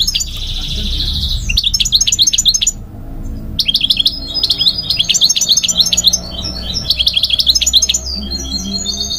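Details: Migratory goldfinch singing: a buzzy opening note, then long runs of fast, sharp, high chirps repeated several times a second, broken by one brief pause.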